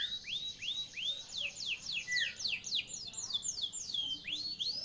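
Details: Canary song played to coax a silent canary back into singing, a rapid, steady series of high whistled slurs repeated about three times a second, some rising and some falling, over low hiss.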